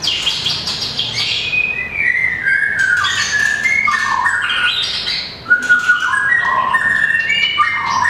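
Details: White-rumped shama, a small long-tailed caged bird, singing in competition: rich, varied whistled phrases stepping down and up in pitch, dense and continuous, mixed with sharp chattering notes and rustling.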